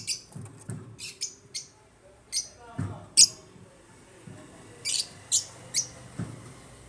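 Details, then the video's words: African lovebirds in an aviary giving short, sharp, high chirps spaced irregularly, about two per second at times, with low thumping sounds in the background. "AFRICAN LOVEBIRDS CHIRPING SOUNDS"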